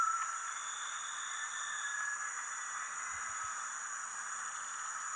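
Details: Steady hiss with constant electronic tones and a few low thumps, with no animal voice.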